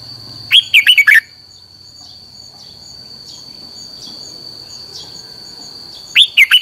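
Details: Red-whiskered bulbul training song with a quick bubbling phrase of about five slurred whistled notes near the start. A similar phrase begins again about five seconds later and is cut off. A steady high whine and faint hiss fill the gap.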